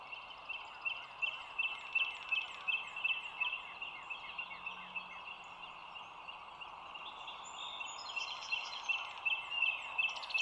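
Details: Bald eagle calling at a nest cam overlooking the Dulles Greenway, 25 March 2022 at 07:16. A long series of sharp, high, piping notes is repeated nearly three times a second over a steady background hum, with faint songbird chirps.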